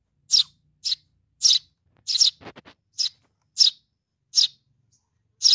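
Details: Baby sparrow calling for mom with eight sharp high chirps, interrupted once by a brief rattling burst near the middle.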